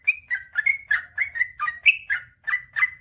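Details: Lively yellow-vented bulbul (trucukan) song, 'ropel panjang' master style used to wake up lazy singers: throaty, gurgling whistles strung together quickly, rising and falling in pitch, over soft low rumbling.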